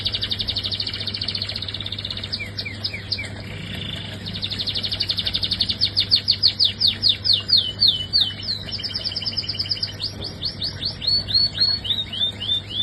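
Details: Caged canary singing: rapid rolling trills and series of repeated upsweeping notes, pace rising and falling, over a constant low hum.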